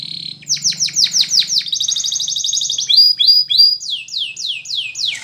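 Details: Spanish Timbrado canary singing a training song: falling notes in quick series, a rapid pulsed trill, short level whistles, then a run of descending slurs.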